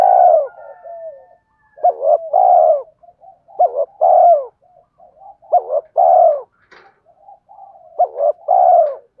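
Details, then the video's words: Spotted dove cooing to get other doves cooing: a series of phrases, each a quick hooked double note and a longer rolling coo, repeated roughly every two seconds, with soft murmurs between. "tiếng cu gáy kích bổi hiệu quả mỗi ngày, cu gay kich boi nhanh noi gù"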